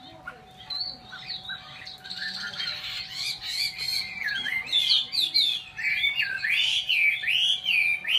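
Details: Chinese hwamei song building from quiet twittering into dense, loud whistled phrases with rolling, warbled slurs and harsh accents, the tempo quickening toward the end, over a low steady hum.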